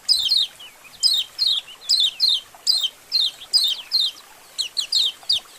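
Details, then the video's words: White-eyes in a colony, played to coax caged birds to sing. Bright, falling chirps repeat in pairs roughly every half second, steady and shrill. "Masteran Suara Koloni Burung Kecial Untuk Memancing Kecial Buka Paruh"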